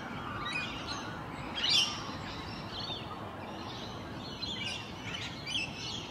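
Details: Rainbow lorikeets (Trichoglossus moluccanus) socialising within the flock in their natural habitat one morning: scattered harsh, shrill screeches and chatter, one louder squawk early on, over a steady hiss of outdoor background noise.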